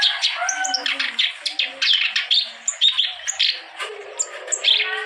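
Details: Energetic Clamorous reed warbler song used to encourage reluctant birds to sing: choppy, scratchy phrases with squeaky whistled accents and short buzzy notes tumbling one after another.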